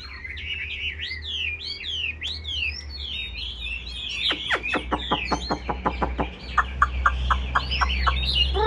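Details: Song of a caged Chinese hwamei: rolling, swooping whistles give way to a fast series of sharp repeated notes, then evenly spaced whistled notes, over steady low background hum.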